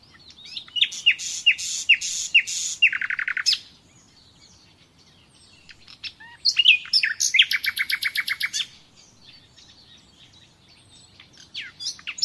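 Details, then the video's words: Common nightingale (Luscinia megarhynchos), recorded as a song-lesson recording, sings varied phrases: rapid whistled notes, then fast rattling trills repeated many times, with pauses between bursts. "Bülbül Sesi - Kesintisiz Ötüm Dersi"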